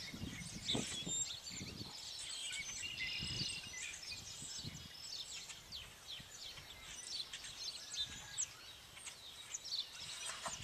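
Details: Birds behind a house in the countryside on a spring evening in 2011: many faint high chirps and twittering notes from several birds overlap continuously, with soft low thumps and rumbles beneath.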